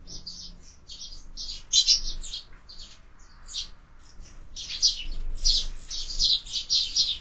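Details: Several sparrows fighting at window-mounted feeders chirp at once in a busy, harsh squabble: rapid, overlapping high chirps in bursts that swell louder toward the end.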